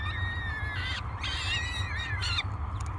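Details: Hungry peregrine falcon chicks, three of them, at a morning feeding at Great Spirit Bluff on 24 May 2022, picked up by a nest camera: drawn-out, quavering, whining screams that rise and fall, with brief breaks between, over constant low background hum.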